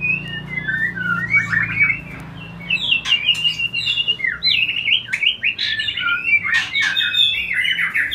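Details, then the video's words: Lively white-rumped shama song to stimulate mating: quick series of warbled and trilled phrases, rising and falling, almost unbroken, with a low hum in the background. "Memberikan Pancingan Murai Batu Agar Cepat Kawin"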